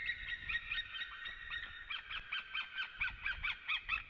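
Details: White-tailed eagles singing in a forest as they come to their nest in Latvia, 18 March 2017, late morning: a quick series of bright, yelping notes, about three per second, pulsing rhythmically over faint low background rumble.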